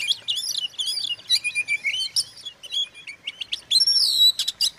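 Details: Oriental magpie-robin song used to provoke other magpie-robins into agitation: a dense run of bright, varied whistled and chattering phrases, with quick rising and falling slurs and sharp clicks and only brief pauses between notes.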